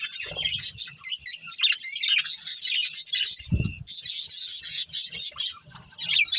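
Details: Budgerigars, a breeding pair and family: continuous bright chirping and warbled chatter, interrupted by a low thump near the middle, then resuming.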